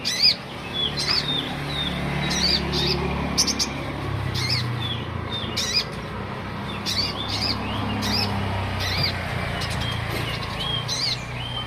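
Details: Olive-backed sunbird singing a lively run of high, thin chirps and rising twitters in frequent bursts, over a constant low hum.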